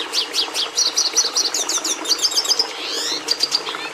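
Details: Red siskin song of sharp repeated chirps leading into quick, evenly spaced buzzy notes, curled whistles and fast trills, lively and high-pitched throughout.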